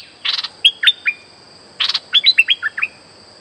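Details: Streak-eared bulbul lure song for bird trapping: a buzzy rasping burst followed by a string of short descending chirps, repeated twice, with a faint steady whine in the background.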